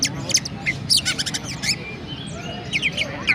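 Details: Oriental magpie-robin, a kept bird from Pemalang, Central Java, Indonesia, giving a short sparrow-style song: sharp high chirps in quick clusters, then thinner scratchy notes fading out.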